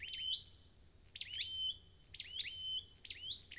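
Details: Wild-caught red-headed flowerpecker singing: high, thin chirps that dip and jump upward, each ending in a short steady whistle. Phrases repeat roughly once a second over a quiet background.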